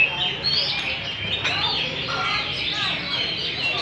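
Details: Hwamei, Garrulax canorus, an adult wild-caught bird competing in a caged song contest; loud, unbroken stream of fluty rising and falling whistles mixed with chattering notes.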